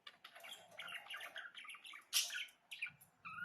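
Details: Budgerigar chattering warble with a loud harsh squawk midway, followed by a few clear whistled notes.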